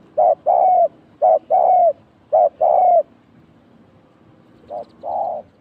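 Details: Spotted dove cooing as a trapping decoy; a pair was caught. Three loud paired coos, a brief note then a longer sliding coo, then a pause and a fainter, softer pair.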